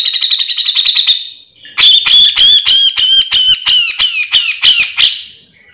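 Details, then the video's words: Grey-cheeked bulbul giving full mbeset singing as a master recording for other cucak jenggot: a fast high chatter gives way to louder, harsher squawking notes with downward slurs, about three per second, fading at the end. "Cucak jenggot gacor full mbeset"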